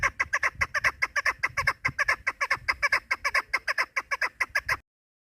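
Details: Hunting lure recording of a female chukar partridge: a quick, regular string of clucking chuk notes, roughly two to three per second, over a faint low hum, ending abruptly in silence.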